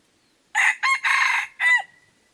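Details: A single close red junglefowl crow from a decoy bird luring wild ones, four rasping bursts, the last sliding downward into a thin lingering tone, with a silent background.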